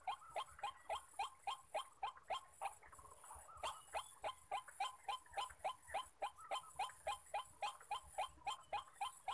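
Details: Wild white-breasted waterhen males calling around a decoy-trapping site: hoarse, grunting kru-ak notes in a steady, rapid series of about three or four per second, with a brief pause near three seconds.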